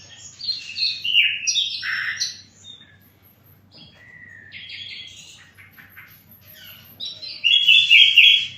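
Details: Sikatan londo flycatcher in song, delivering strong, varied high whistled notes and short buzzy phrases, then softer sliding whistles, ending with a loud scratchy burst of notes; background is otherwise quiet.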